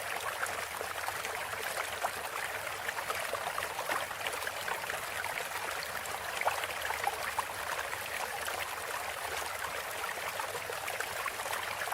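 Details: Steady rushing hiss like flowing water, with no animal calls.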